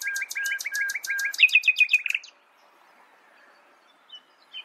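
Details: Common nightingale singing: a run of repeated sharp two-part whistled notes with high clicking overtones, then a fast, loud, buzzy rolling phrase that stops abruptly, followed by near silence with a couple of faint distant chirps.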